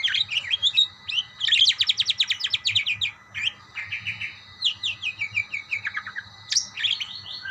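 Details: Several budgerigars calling back and forth: dense runs of quick, high, buzzy chirps, including a rapid stuttering series of clicks, then falling chirrups and a sharp squeak near the end, with a faint low hum beneath.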